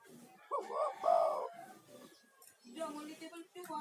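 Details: Vocal male spotted dove of the kind used by lure trappers to call in wild doves: one low, throaty three-note coo rising then rolling, followed by murmuring background sounds.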